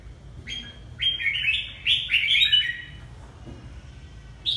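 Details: Red-whiskered bulbul from Ha Tinh, Vietnam, delivering a quick cascade of bright whistled chirps, stepping up and down in a lively phrase, then a final short note after a pause.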